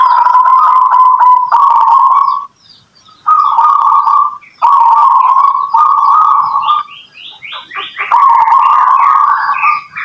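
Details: Local zebra dove used as a lure recording to prompt other doves to answer: loud, buzzy cooing phrases held near one pitch in bursts of one to two seconds with short gaps, plus higher chirping notes toward the end.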